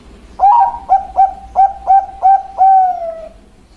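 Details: Bangkok-type zebra dove (perkutut) song: an opening slurred note, then five short rising coos at roughly even spacing, ending in a long drawn-out coo that slowly falls away.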